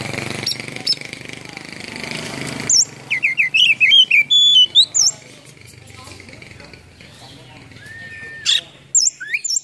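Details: White-rumped shama phrases of rapid whistles and high upslurred notes following a stretch of low noisy background, with a single long whistle and sharp calls near the end.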